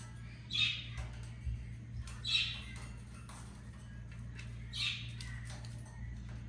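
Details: A pet African grey parrot indoors produces three high, grating squawks spaced about two seconds apart, the last one softer, against a continuous low hum and a little room noise.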